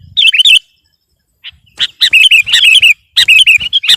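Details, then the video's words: Sooty-headed bulbul delivering loud, fast song to outdo a rival, bursts of bubbly, liquid warbles broken by a brief silence, then long rich chattering runs. "Suara burung kutilang gacor || menekan lawan 100%"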